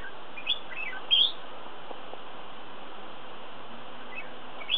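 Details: Flame-throated bulbul (Pycnonotus gularis) giving a few short, high chirpy notes, spaced irregularly, the loudest a quick bright double note, over a steady hiss of background noise.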